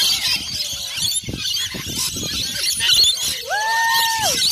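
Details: Many rainbow lorikeets at feeding time at Currumbin Wildlife Sanctuary in Australia give continuous shrill, scratchy screeches, with steady tonal notes near the end and faint voices mixed in.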